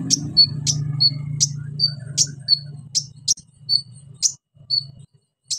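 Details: Orange-headed thrush singing a lure song meant to stir quiet birds into singing: sharp high clicks alternating with short thin whistles, roughly one note a second, over a low droning hum that fades halfway.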